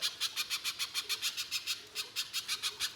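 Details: Lure song of a little spiderhunter, loud and harsh in 'nembak kasar' style: rasping buzzy notes repeated about three to four times a second without a break.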